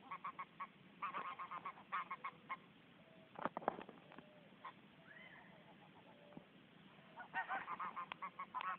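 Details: Domestic greylag goose (Anser anser), a male courting a female to form a pair, gives rapid bursts of short, nasal honks, several quick notes at a time with brief pauses, and a louder outburst midway.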